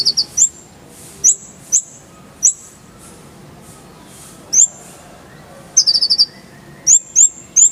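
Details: Oriental white-eye song for training cage birds: isolated sharp, high chirps spaced irregularly about half a second to a second apart, with one brief fast trill midway; quiet background.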